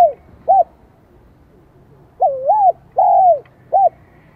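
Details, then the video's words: Vietnamese spotted dove singing in the high 'giọng son' style. The clip opens with the tail of one phrase. After a pause comes a full phrase: a wavering dipping coo, a long falling coo and a short closing note. "Tiếng chim cu gáy Giọng Son chớm nổi kích bổi"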